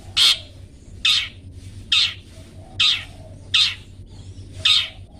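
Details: Harsh, rasping squawks from a long-tailed shrike, repeated a little under once a second, in a 'toet toet' recording for training pet birds, with low steady hum behind.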